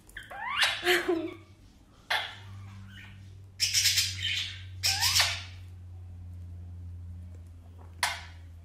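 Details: A male blue ringneck (rose-ringed) parakeet gives repeated bursts of smacking kissing sounds and squeaky chatter in quick succession, showing affection toward his companion Alexandrine parrot, over a steady low hum.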